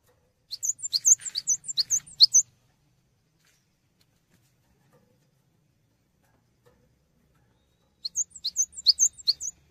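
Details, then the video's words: Cinereous tit (gelatik batu) used as a tutor bird for songbirds: a quick burst of high, thin chirps lasting two seconds, then long silence before a second similar chattering burst. "GELATIK BATU GACOR UNTUK MASTERAN"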